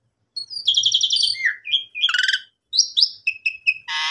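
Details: Asian pied starling kept caged, its song offered as a lure to get the bird singing again after the owner's holiday absence; a mix of buzzy trills, downslurred whistles and clear repeated whistles, finishing with a harsh rasp.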